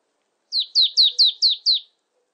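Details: A single marsh tit repeating a bright, high, downslurred whistle six times in quick, steady succession, with no other sounds.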